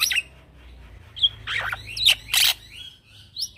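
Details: Young male black-winged myna kept as a song tutor for other birds gives scattered loud, grating squawks and buzzy bursts separated by short pauses, over a quiet low hum.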